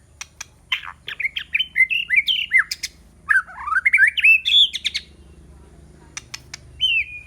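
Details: White-rumped shama decoy singing to attract rival birds, with a tumbling series of slurred whistles and chips in the first five seconds, then sparse sharp clicks and a final drawn-out falling whistle after a quiet gap.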